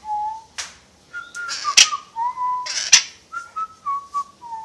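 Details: Caged pet parrot known for whistling tunes and wolf whistles, indoors: a string of clear whistled notes that step between pitches and slide, broken by two loud harsh squawk bursts.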